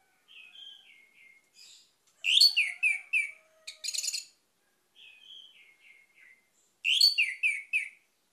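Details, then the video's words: Quiet, thin whistled notes alternate with loud, rich phrases of tumbling whistles from an orange-headed thrush. The pattern repeats twice, with a brief rattling burst after the first loud phrase. "PUTARKAN INI‼️ ANIS MERAH MACET AUTO GACOR"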